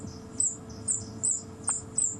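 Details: A played-back recording of the African Pygmy Kingfisher's call, used by a safari guide to demonstrate it: very high, thin, squeaky notes repeated about twice a second.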